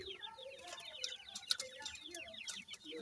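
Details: Young grey francolins with an adult, a steady stream of thin, high chirps sliding downward, overlaid by brief clicks and soft mid-pitched clucks.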